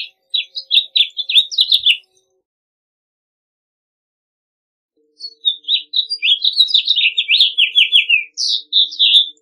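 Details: House finch song in two bouts: a chattering series of short notes for two seconds, a pause, then a longer rambling warble of slurred, buzzy and whistled notes, with a faint low hum behind.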